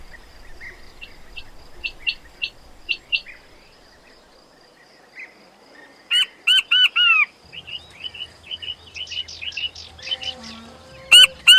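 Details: Quails calling: a run of thin high chirps, a pause, then bursts of louder arched double notes and a quick chattering series of chirps near the end.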